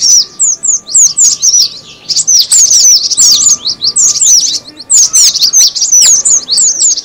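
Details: Cinereous tit lure call: bursts of high, squeaky descending notes packed closely together, broken by brief pauses, over a faint steady hum.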